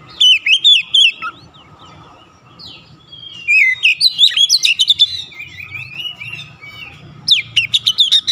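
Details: Oriental magpie-robin singing persistently, unloading its store of imitated notes: rapid rising and falling whistles, buzzy slurred phrases and bursts of crisp chips, coming in several uneven outbursts over a faint electrical hum.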